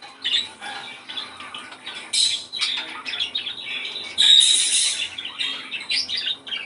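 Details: Budgerigar song meant to bring birds into breeding condition: a continuous, fast, scratchy warble of chirps, clicks and squeaky notes, with louder bursts near the middle and end.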